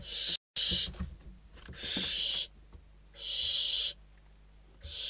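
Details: Barn owl chicks inside a nest in Spain, hungry young fighting over a bird delivered as food, the oldest chick winning; long harsh hissing screeches, each about a second, repeated with short gaps, with scuffling and thumps between.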